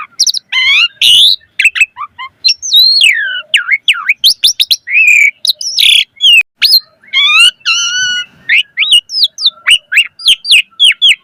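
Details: Energetic Asian pied starling song packed with varied phrases, used to train birds and draw them into answering: a fast, continuous medley of whistled slurs, sharp chirps, rising and falling sweeps and harsh squeaky notes with barely a pause.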